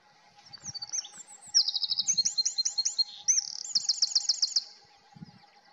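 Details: Eurasian wren delivering a loud, rapid song: high tinkling notes leading into fast, rattling trills and ringing rising phrases, ending in another quick trill, over a steady low hum.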